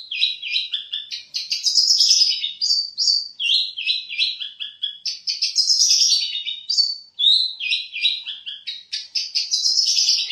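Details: Long-tailed shrike, known for imitating birds such as sparrows, canaries and lovebirds, sings a long varied medley of whistles, trills and scratchy notes in rapidly changing phrases.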